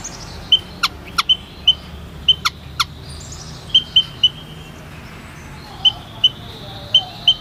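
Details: Thin, high white-headed munia pips in pairs and short runs, with some loud clicks early and a faint drawn-out whistle in the middle.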